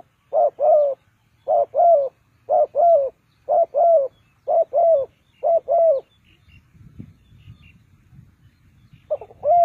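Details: Spotted dove used as a decoy for trapping birds repeats paired coos about once a second, six pairs in a row, then falls quiet amid low rustling and handling noise before cooing again.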